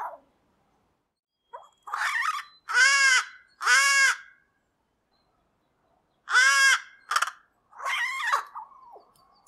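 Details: American crow giving harsh caws of differing lengths and qualities, each serving a different purpose; loud grating calls in pairs and short groups separated by silent gaps, with one shorter clipped note.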